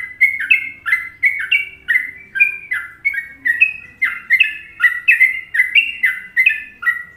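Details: Indonesian sooty-headed bulbul, or trucuk, in a well-liked Trucukan rhythm used as masteran: lively chain of bright whistled syllables, alternating higher and lower downslurred notes, steady bouncing pace without pause.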